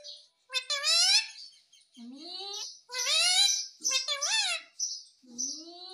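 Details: Ringneck parrot chattering in a childlike voice: rapid speech-like syllables with rising pitch, some low and drawn out, plus higher squeaky notes, continuously over six seconds.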